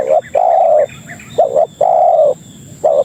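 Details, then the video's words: Spotted dove lure call to draw other doves: two quick cooing phrases, each a short doubled note then a sustained level-to-falling coo, with faint higher chirps behind. "Suara Burung Pikat Tekukur Paling Ampuh Untuk Masteran dan Pikat Memanggil Kawan"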